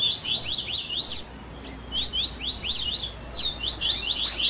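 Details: Double-collared seedeater baderna for warming up captive birds, tui tui songs with grego, viviti and flauteado variants. Short clusters of quick high zigzag notes separated by brief gaps, faint low hum beneath.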